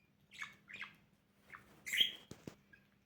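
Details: Pet budgerigar during morning play indoors, giving a few soft scratchy chirps followed by a louder harsh squawk, with faint clicks and a low steady hum.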